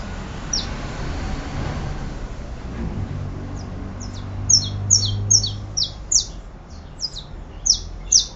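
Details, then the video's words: Saffron finch: after a quieter opening with one isolated chirp, a lively run of high, sharply descending chip notes follows, repeated rapidly over steady low background noise. "Canario da terra"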